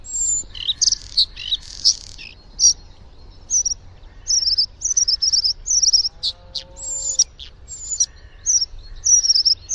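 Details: Bluethroat song: a varied run of high, sharp chirps, buzzy trills and ringing notes in quick bursts, with a lower mimicked whistle in the middle and faint background hiss.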